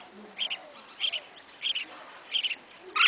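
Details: Red-whiskered bulbul, a beginner's first caged bird, sounding four paired high chirps about every half second, then a louder, broader note at the end.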